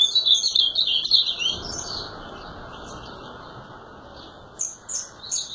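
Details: Azulão (ultramarine grosbeak) singing: a quick, warbled run of high twittering notes for nearly two seconds, then a pause with faint background hiss, and a few short chirped phrases near the end.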